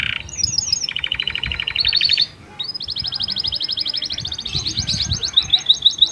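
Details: Canary with a unique varied song used to stimulate females before mating; rapid repeated-note trills shifting in pitch, a short pause, then a long high rattling trill and bright chirps.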